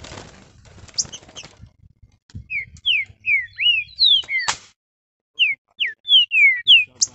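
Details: Caged green-winged saltator being warmed up and getting highly excited, giving loud clear slurred whistles, each a short rising or falling stroke, delivered in quick runs of about three per second, with some rustling noise at the start.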